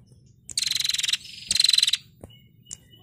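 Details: Female prenjak (prinia) singing in a recording used to train songbirds: two loud, dry buzzing rattles, each about half a second long, made of rapid pulses, separated by a short pause, with a faint click between.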